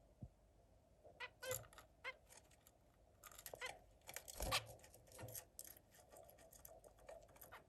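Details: A zebra finch sings a quick jumble of nasal, buzzy notes and clicks, with a few soft thumps.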